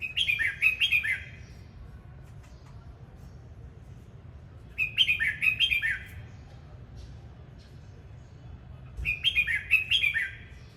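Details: Red-whiskered bulbul singing in the 'hót múa' style, singing while dancing: three bursts of rich, bright whistled notes, each lasting about a second, repeated roughly every four and a half seconds over a low steady background hum.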